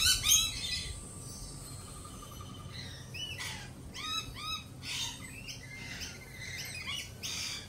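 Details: Lorikeets, jittery after a peregrine falcon attack earlier in the week, give harsh broadband screeches in scattered bursts, mixed with rapid arched chirps and thin whistled notes from several birds, over a steady low hum.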